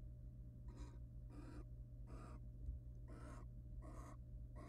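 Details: Wild barn owl pair in a nest box during courtship, the male preening and mounting the female: harsh, airy hisses repeat roughly every three quarters of a second, six in all, over persistent low hum.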